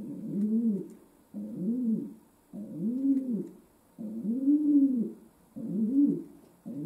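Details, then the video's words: Rhythmic, resonant cooing of a pet domestic pigeon in a room: six humped, rolling coos in about seven seconds, each rising and falling smoothly, with a light background hum. "My Pigeon Pearl Gave A Concert"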